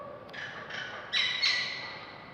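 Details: A pet bird named Mana, a female, stretching and making funny sounds indoors, gives harsh, squawky calls in short bursts with a thin whistled edge, loudest near the end; nothing else is heard.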